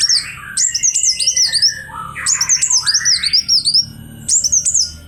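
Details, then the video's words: Plaintive cuckoo in moult, singing energetically: a few clear whistles drawn out and falling in pitch, mixed with rapid, very high, sharp chirps and twittering phrases in bursts, with short pauses between them. "kowul mental fighter gacor dorr kondisi mabung"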